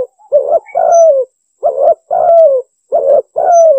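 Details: Spotted dove, female, lure call used for trapping and hunting: three mellow coos in each phrase, a short coo then a longer coo sliding downward, repeated in quick succession across three phrases without pause, clean quiet background.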